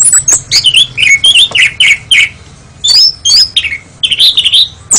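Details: Oriental magpie-robin (kacer), a national champion songbird from Indonesia, giving loud, varied whistled phrases: short rising and falling notes mixed with sharp chips and brief buzzy bursts, separated by quick pauses.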